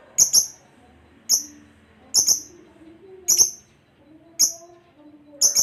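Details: Lovebird kept as a pet for training, producing short, shrill double squeaks at irregular intervals near one per second, thin and very high, with soft low background noise.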